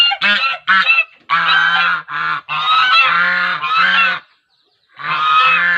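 Swans give loud, nasal, trumpeting honks, about seven in quick succession, some clipped and some drawn out, with a brief pause before a final call.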